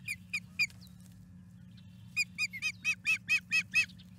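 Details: Wild osprey at the Charlo osprey nest, May 12, 2022, 5:45 pm MDT, calling while escorting an intruding osprey out of the nest area: three sharp whistled chirps, a pause, then a fast run of repeated piping chirps, about two per second.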